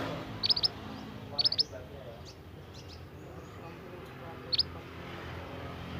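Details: A young Scarlet minivet from the forest utters two tight triplets of sharp high whistled chips about a second apart, then a lone pair several seconds later, against faint background noise.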